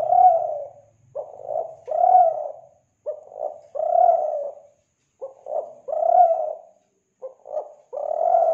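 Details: Tekukur, the spotted dove, from Kelantan, played as a lure: steady series of low hooting coos, each phrase a quick double note followed by a longer rounded coo, recurring roughly every two seconds, with a faint low hum early on.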